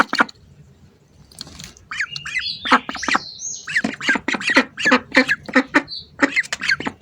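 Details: Hungry ducks at close range, giving loud rasping squawks in irregular bursts, with thin, whistled sliding notes rising and falling between them.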